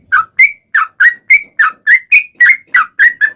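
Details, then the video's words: Trucukan lure song meant to prompt other trucukan to answer: steady run of short liquid whistled notes, about three or four per second, alternating slightly lower and higher pitches, clean background. "KICAU SUARA trucukan gacor ropel panjang pancingan trucukan agar bunyi MENJADIKAN trucuk gacor NYAUT"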